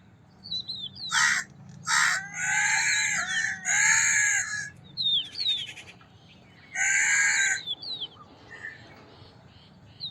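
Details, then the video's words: A crow gives about six harsh, hoarse caws, some drawn out, in irregular bursts; thin chirps from smaller birds sound between them. "Crow Cawing Sound"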